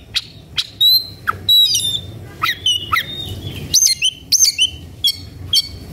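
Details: Oriental magpie-robin looking for a rival to fight sings varied whistled notes, some level, some falling, some looping, mixed with short harsh chips and spaced by brief pauses.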